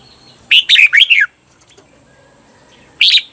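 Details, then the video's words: Red-whiskered bulbul, Thailand, doubled 'berl' style recorded for teaching cage birds: one fast phrase of four or five clear, dipping whistles, a pause of nearly two seconds, then the start of the next burst. "เสียงฝึกเบิ้ล นกกรงหัวจุก เปิดสอนเบิ้ลยาวๆ เบิ้ลได้แน่นอน"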